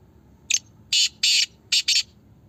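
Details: Black francolin from Pakistan in a voice competition, giving a brief sharp opening note, two drawn-out raspy buzzes and a fast final double note, loud and harsh against near silence.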